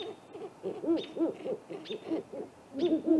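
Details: Two great horned owls calling after dark at a great gray owl nest tree, April 21: quick, choppy series of short arched hoots, about three to four per second, with occasional thin high notes.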